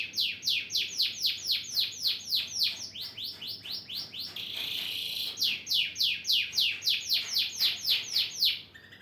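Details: Male canary calling to a female; a fast series of steeply descending sweeping notes, about four per second, broken midway by a short buzzy trill before the sweeps resume.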